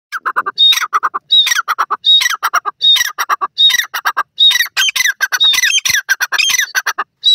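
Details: Francolin, locally called teetar, giving loud harsh squawking calls in rapid, slightly irregular bursts, each phrase with a high whistled note followed by grating syllables, repeated about every three-quarters of a second.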